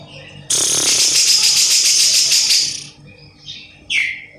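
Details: Javan grey-cheeked bulbul (cucak jenggot jawa) delivering a loud, harsh rattling buzz lasting about two seconds, followed after a pause by two short, high downslurred whistled notes.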